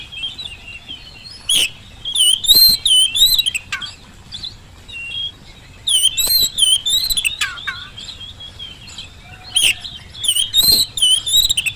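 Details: Oriental magpie-robin song meant to prompt other birds to respond, at home or in the field: repeated clusters of varied whistles and rapid sharp chips, recurring every few seconds over a faint background hiss.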